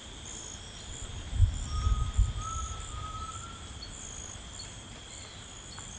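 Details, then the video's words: Rainforest Grey Tinamou gives a sustained, thin whistle of about two seconds that edges upward toward its end. Steady insect hum and faint rustles fill the background. "The Singing Tinamou Tao"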